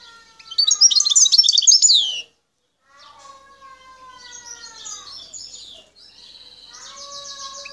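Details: Wild Algerian goldfinch from Bouteldja, El Tarf, gives a two-second burst of bright twittering song, followed by softer twitters and a buzzy trill. Steady lower tonal sounds run beneath.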